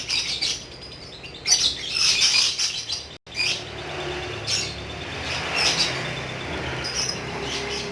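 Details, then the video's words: High, grating chatter of a lovebird singing ngekek, delivered as loud twittering bursts early on and then a steadier, softer run of rapid notes. "BURUNG LOVEBIRD TERAPI PANJANG UMUR ‼️GACHOR NGEKEK BIKIN ADEM"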